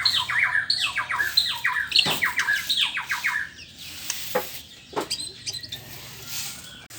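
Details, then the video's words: Morning song of a white-rumped shama: a fast run of repeated slurred whistles and chirps for about three seconds, followed by scattered clicks and soft calls. "ocehan burung murai batu di pagi hari"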